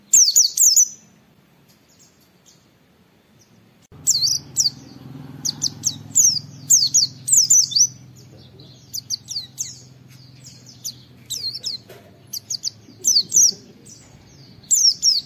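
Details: Oriental white-eye song used as a tutor recording to coax other white-eyes into "wit wit" calls: a long series of high, sharp whistled notes in quick clusters, rising and falling, over a faint low hum.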